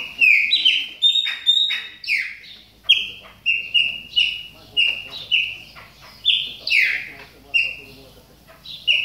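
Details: Caged Chopi blackbird warming up during moult, calling steadily: loud clear whistled notes, many sliding downward, delivered in quick succession roughly twice a second with strong overtones.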